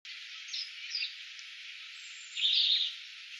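Brambling giving short, bright chirps near 0.5 and 1 second, then a louder harsh, buzzy note around 2.5 seconds, over a steady high hiss.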